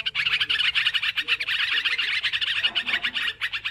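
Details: Sooty-headed bulbuls in loud chorus for a bird-trapping lure: tightly packed, rapid chirping and chattering notes from several birds, unbroken for the whole stretch.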